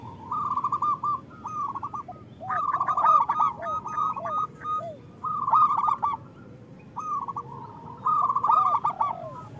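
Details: Local zebra doves in strong song, a recording used to stimulate moulting or silent doves to sing; repeated rapid cooing phrases every second or two from several birds, with lower rounded coos between.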